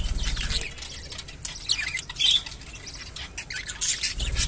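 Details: Kept rainbow budgerigars in a mating call, rough high squawks and a few clear chirps scattered over low rumbling background noise, with a louder chattering burst near the middle.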